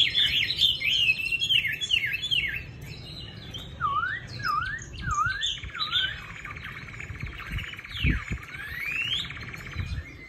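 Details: Chinese hwamei, caged in Định Công, Hanoi, sings loud looping whistles, then a series of swooping V-shaped slurred notes repeated about every second, and finally long rising whistled sweeps, with a few low knocks.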